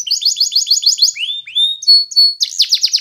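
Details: Belgian canary song: a rapid, rattling high trill, then two slurred rising whistles, a level whistle, and another fast pulsed trill.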